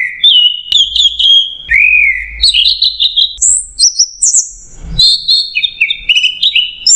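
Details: Orange-headed thrush masteran song, 'macet jernih': a low whistled upslur, a sustained warbled phrase, then varied notes that rise into very high whistles before falling back into a tumbling chatter.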